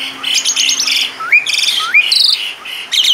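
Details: Asian pied starling in 'gacor' song with a rich 'isian' repertoire: chattering buzzy bursts, two clear rising slurred whistles and dense high trilled notes, with a faint steady hum beneath.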